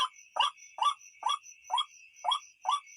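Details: White-breasted waterhen, night lure recording: seven harsh, croaky notes at about two per second, each sliding downward, over a steady shrill drone and faint high chirps.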